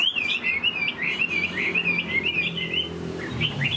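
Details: Chinese hwamei, caged and moulting, a big bird with a high-pitched song: a rapid unbroken chain of clear swooping whistles, fast and lively, ending in a few scattered higher notes, with a low indoor hum beneath.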